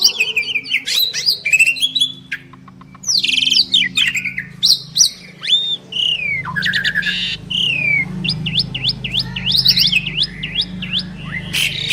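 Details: Duet of two champion Asian pied starlings (jalak suren): rapid mix of sharp downslurred whistles, harsh squawks and buzzy bursts, followed by a run of quick repeated upslurred whistles over a faint low hum.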